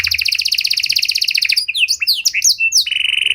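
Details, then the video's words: Panda canary in cengkok mewah style, a song for baiting and training other canaries. A quick, steady high trill gives way to scattered sharp downslurred notes and closes on a flat, sustained buzzy tone. "Pancingan Suara Burung Kenari Panda Cengkok Mewah! Ampuh Buat Memancing Maupun Melatih Kenari Lain"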